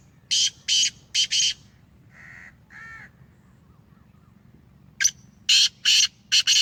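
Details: Black francolin of the Sheedi strain, a home-bred bird, giving harsh, buzzy bursts in two groups of four or five quick notes, with softer lower calls between them.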